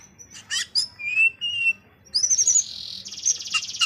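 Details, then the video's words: Greater green leafbird song of varied sharp high chips and short buzzy whistled phrases, then a busy chattering run that becomes a long harsh buzzy trill broken by squeaky notes; a low steady hum runs underneath. "cucak ijo bahan bangunan"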